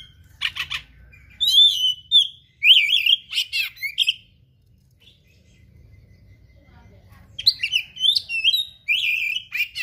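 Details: Oriental magpie-robin pouring out a varied gacor-style song: rich twisting whistles, harsh buzzes and rapid phrases in two long bursts split by a quiet gap.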